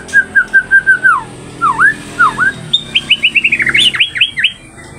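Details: Captive third-generation straw-headed bulbul in Indonesia, singing 'isian' fill-in material: a row of even mellow whistles, two looping dipped notes, then an accelerating series of higher sharp whistles ending in quick twisting phrases.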